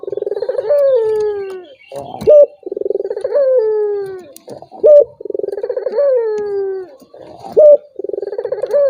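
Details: Turtle dove lure call to make a hesitant rival respond: a steady cycle of purring pulsed coos drawn out into descending notes, with a short sharp note between each of about four phrases.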